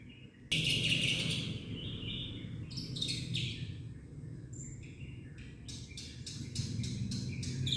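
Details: Black-winged myna (jalak putih), a protected bird, singing a full varied song: a loud harsh burst, then mixed whistles and notes, ending in rapid repeated sharp chips; steady low background hum.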